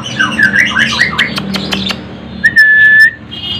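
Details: One of three hand-reared banded pitta chicks found in Cianjur, Indonesia, begs while being hand-fed, giving a run of squeaky, rising notes, then one steady thin whistle, with clicks and handling noise from the feeding.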